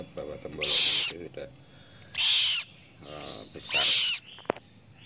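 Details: A newly hatched cockatoo chick being hand-fed gives three harsh, hissing rasps about a second and a half apart, with faint handling noise between them.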